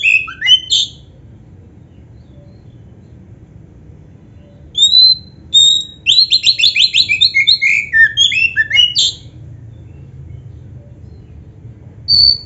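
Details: Black-breasted oriental magpie-robin song used as a lure for caged birds; brief whistles, silence, then loud whistles leading into a fast rattling run of repeated notes, more silence, and a final whistle.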